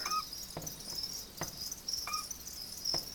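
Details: Pet Eurasian scops owl (Otus scops) kept at home, giving two short, soft whistled notes about two seconds apart over a steady high insect-like hiss and faint clicks.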